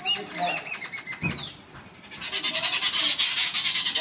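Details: Grey francolin with chicks. Loud, high, thin notes come in quick succession, some sliding downward, then a brief lull. A dense, rapid stream of high twittering notes follows, repeated about two or three times per second.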